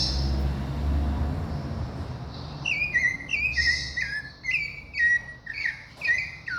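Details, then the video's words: Brazilian thrush song begins after a few seconds of low rumbling noise, then a string of melodious whistled phrases, mostly downslurred, repeated about once per second. "sabiá do Cícero."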